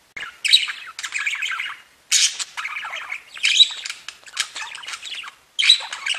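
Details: Pet budgerigars chatter in bursts of busy, high twittering warble, broken by short pauses roughly every second, with bright squeaky notes and trills.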